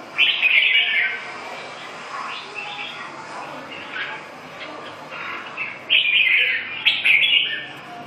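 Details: Red-whiskered bulbul delivering loud warbled phrases at the beginning and near the end, with softer scattered chirps in the middle over faint hum.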